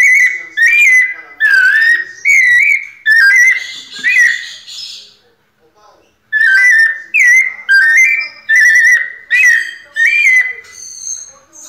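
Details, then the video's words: Series of rich whistled phrases from a white-necked thrush in pianado style, delivered about once a second, each warbling slightly, with a pause of about a second before the series resumes. "Sabiá coleira "Sol" nunca vi pianado tão perfeito!"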